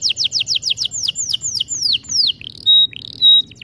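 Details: Canary song used for training: a series of clear descending whistled swoops, slowing and lengthening, followed by two pure, steady high whistled tones with short pauses between.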